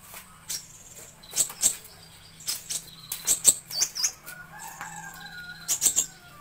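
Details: Sunbird song used as tutor material for cage birds: very high, thin, piercing notes in pairs and short groups, with softer lower twitters between them and a faint hum underneath.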